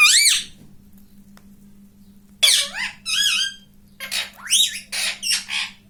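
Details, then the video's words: ['Pet ring-necked parakeet that talks, saying "mummy": one short raspy syllable, a silent stretch, then a jumble of harsh squawky bends and short chattering notes toward the end.'] "Mummy ka pyara tota || mithuda || bolta parrot talking video"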